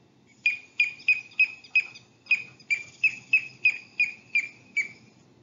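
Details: Piping plover (Charadrius melodus) on Nantucket, July 2020, alarm call when a person is near its sand-scrape nest or chicks: a steady series of clear, sharp, slightly falling piping whistles, two to three per second, before faking a broken wing.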